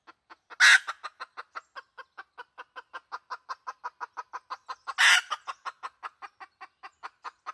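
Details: Red junglefowl female, a lure recording: a steady stream of dozens of rapid clucks, punctuated twice by a loud, rasping squawk-like burst.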